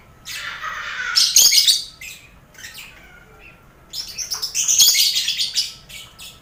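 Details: Mixed colony of lovebirds, finches and quail kept as training ambience for lovebird contests; a buzzy rasping squeal opening into shrill chatter, a quieter pause of faint twitters, then a long rapid run of high scratchy notes.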